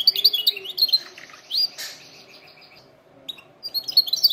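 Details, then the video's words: Canary singing to train canaries: quick high chirps and trills, a short harsh burst, a quiet gap, then more bright chirped notes. "canary singing best video to training canaries birds"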